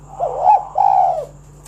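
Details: Spotted dove singing steadily, a recording meant to prompt other doves to sing: one low, mellow phrase of a short coo followed by a longer, slightly rolling coo that drops away at the end.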